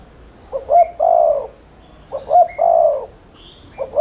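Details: Spotted dove in rapid continuous 'thúc liên thanh' cooing, used as a lure to stir other doves to coo: two short low coos, then a longer rolling croo. The phrase comes twice, with faint higher chirps of other birds.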